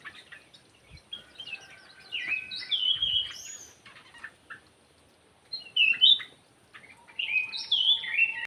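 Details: Caged sooty-headed bulbul in an aviary, singing gacor: two bursts of loud, bubbling whistled notes that dip and rise, separated by a pause of about two seconds, with a faint low hum in the background.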